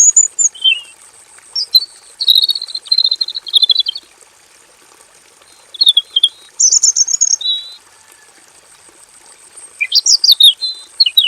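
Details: Male robin in a simple aviary pouring out long rolling song: fast stuttered notes, clear whistled bars, and a final rising-falling flourish, in three main bursts with quiet gaps and a faint continuous high hiss.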